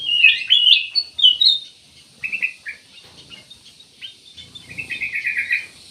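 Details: A ruby-throated bulbul, called cucak emas or kutilang emas, sings a loud burst of twisting chirps, then softer scattered notes and a fast rattling trill near the end.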